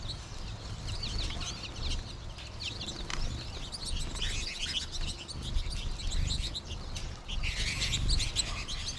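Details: Many American goldfinches in a flock during March, some calling from treetops; dense, bright chattering of high chirps throughout, swelling near the end, over low rumbling background sound.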